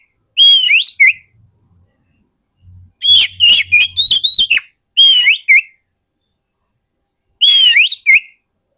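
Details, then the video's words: Oriental magpie-robin song for luring wild birds: loud whistled phrases, each a held note curling upward, mixed with a rapid burst of short sharp notes, plus a brief low hum in the background. "SUARA PIKAT BURUNG KACER YANG SATU INI"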